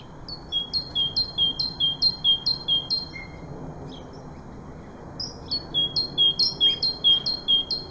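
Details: A great tit in the UK sings two bursts of its ringing two-note 'teacher-teacher' phrase, a high note dropping to a lower one, about twice a second, over faint background hum.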